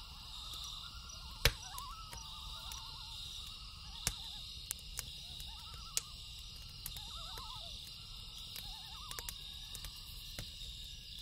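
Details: Repeated wavering, yodel-like tremolo phrases from a loon at night, rising and falling in short bursts across several seconds, with sharp campfire pops and a continuous high cricket chorus.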